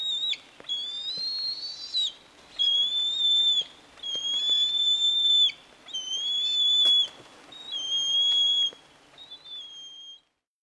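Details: Bald eagle recorded in Michigan: a series of about five high, thin, whistled notes, each drawn out for over a second with a slight warble, separated by short pauses, over faint background hiss.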